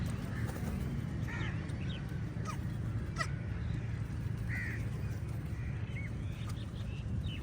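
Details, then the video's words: Amid a flock of crows contesting a meal with eagles, a handful of hoarse, downward-bending caws sound at uneven intervals above heavy low-pitched background noise. "Lots of Crows fight with EagLes for meaL and Different Crow sounds"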